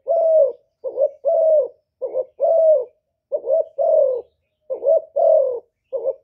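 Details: Decoy spotted dove, Cà Mau in Vietnam, cooing to attract wild doves; repeated phrases of a quick hooted note and a sustained gently falling coo, about one phrase per second, no other sounds.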